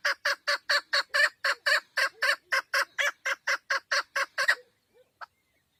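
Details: Female chukar partridge, described as a hunting bird, giving a rapid run of about fifteen harsh, clucking chuck notes at roughly four per second, evenly spaced, then falling silent apart from two faint soft notes near the end.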